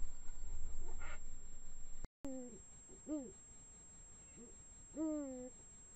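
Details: Female and male Eurasian eagle-owls in the Eifel trade deep, arched hoots that swell and fall, four in about four seconds, over a low rumble, at 1:01 am on 16 March 2017, recorded at least 200 m from the nest.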